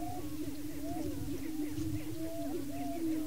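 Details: Male Greater Prairie Chickens at a lek in Washington County, Kansas, displaying and fighting to hold breeding territory; a sustained low booming hum with long level whistled notes and quick bouncing whoops over it.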